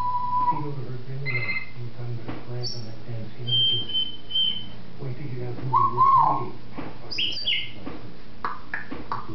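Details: Captive African grey parrot talking, recorded December 2007, mimicking human speech and phones: mumbled speech-like syllables mixed with sharp whistled notes, a rising slurred whistle midway, over a constant low hum.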